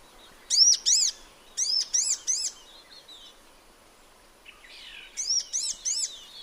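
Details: Sunbird in its natural habitat: groups of two and three sharp, high arched chirps with ringing overtones, a soft fainter phrase in between, steady faint background hiss.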